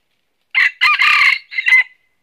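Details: A red junglefowl, a red-eared northern Vietnam decoy bird used in trapping, gives one brisk, high crow: a short opening note, a longer strained middle phrase, then a clipped final note, within about a second and a half.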